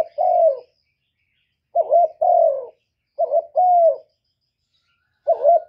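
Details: Lure calling of a spotted dove, meant to stimulate doves: mellow throaty coo phrases, a short hiccuping note then a drawn-out falling coo, repeated at irregular gaps.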